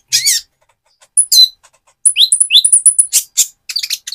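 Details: Van Hasselt's sunbird in mottled plumage, singing as a lure to excite another sunbird: a few high squeaky notes, then a fast phrase of high ticks mixed with falling whistles, and closing chirps.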